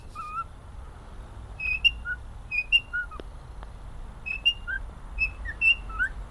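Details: Male cockatiel kept as a pet, happy, whistling a melody: paired pure notes alternating higher and lower, with brief slurred glides and little pauses between phrases, a couple of soft clicks in a quiet room.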